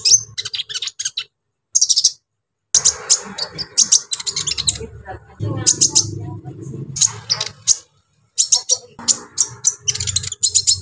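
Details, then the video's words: Brown-throated sunbird delivering harsh fill-in song to stir up other sunbirds: dense bursts of rapid, very high chattering chirps broken by brief silences, accompanied by a low electrical-sounding hum. "KOLIBRI NINJA GACOR BONGKAR ISIAN KASAR BUAT MENAIKAN EMOSI KONIN BAHAN"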